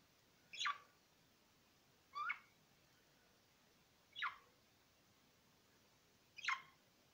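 A budgerigar gives four short, scratchy chirps, each a quick high sweep, spaced about two seconds apart against a quiet indoor background.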